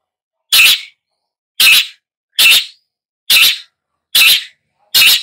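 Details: A long-tailed shrike repeats a grating, broadband rasp six times at roughly one-second intervals, each note short and scratchy, with silence between.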